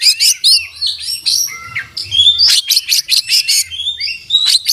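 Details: Oriental magpie-robin (kacer) singing with an open beak, a full song packed with learned imitations (isian): bursts of rapid high chirps alternating with sliding whistled notes and buzzy trills, loud and continuous.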